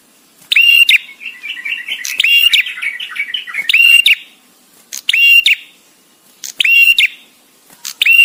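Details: ['Visiting male bar-winged prinia, singing with gaps, for master training. Strident whistled notes are repeated every second or so. A softer rapid chattering twitter runs beneath the early notes.']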